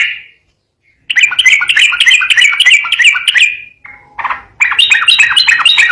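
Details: Yellow-vented bulbul in energetic 'ropel garuda' song, recorded clearly: a brief chip, a pause, then a long run of rapid warbled notes, a short break, and a higher, faster chattering phrase.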